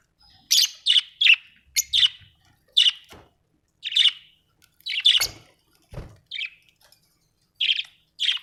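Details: Happy budgie giving a series of short, separate chirps, about one per half second, with a few faint clicks between them.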